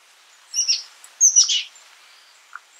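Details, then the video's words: Oak titmouse giving two short, raspy chirped notes a half-second apart, harsh and high-pitched, followed by a faint single note; otherwise quiet background. "Oak Titmouse Bird Sound, Bird Song, Bird Call"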